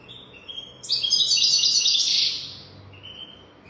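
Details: European goldfinch song meant for training young goldfinches: a short lead-in note, then a loud continuous rush of sparkling high twitters for about a second and a half, fading into a soft trailing note.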